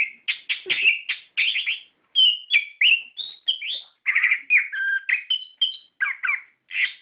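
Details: Orange-headed thrush song played to coax captive thrushes into singing: continuous chain of varied whistles, rattling notes and downslurred phrases, shifting pitch from phrase to phrase with barely a gap.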